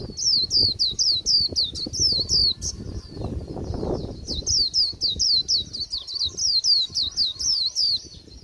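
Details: Late-season Japanese white-eye líu song, described as dull: loud, high, sharply slurred whistles repeated about four per second with a short break near the middle, over low rumble.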